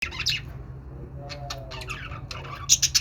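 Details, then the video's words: Pet budgerigar calling indoors: short scratchy squawks and high chirps in brief bursts, with quieter warbling between and a low steady hum underneath. "budgie birds | budgie sounds | love budgie | budgie voice"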